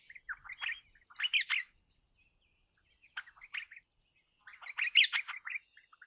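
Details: Crimson rosella giving harsh, scratchy chattering bursts in three groups over six seconds, with a soft low thump at the start.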